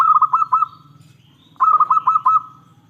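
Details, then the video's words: Zebra dove of the local type singing loudly, a lure meant to draw answers from other doves: two phrases of quick, bouncing cooing notes on one pitch over a steady low rumbling hum. "Perkutut lokal gacor suara besar pancingan paling ampuh untuk semua jenis burung perkutut"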